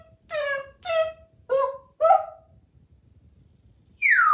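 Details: Pet African Grey Parrot kept indoors in a Texas home, described as very talkative. Four evenly spaced nasal, harmonic word-like syllables come about half a second apart, then a silence, then a sharp, high, descending squawk.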